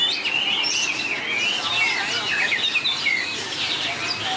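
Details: White-rumped shama contest song: clear, drawn-out whistles followed by quick slurred notes and twittering, continuous and lively throughout.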